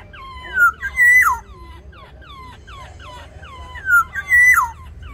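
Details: Black-naped orioles fighting in an aviary over territory: loud, fluty whistles sliding downward in two bursts about three seconds apart, over a steady backdrop of softer falling notes from other birds.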